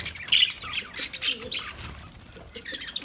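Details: Lovebird chatter of sharp, high squeaks and rasping chirps in quick irregular bursts, louder at first then fading, with soft low murmurs beneath.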